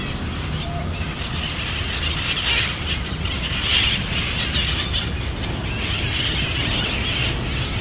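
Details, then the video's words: Wild parrot flock in San Francisco: harsh, overlapping squawks and screeches run through the whole stretch over a steady hiss, with louder squawks standing out around the middle. "San Francisco Wild Parrots Sound Effect"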